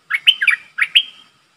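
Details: Captive streak-eared bulbul used as a decoy to lure a wild flock: two bright chirpy phrases, each a short burst followed by a sustained whistled note, in a quiet setting.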